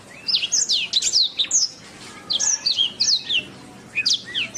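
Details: Training recording (masteran) of a canary: clusters of sharp, high, swooping whistles in quick bursts, a short lull midway, then further groups of slurred chirps.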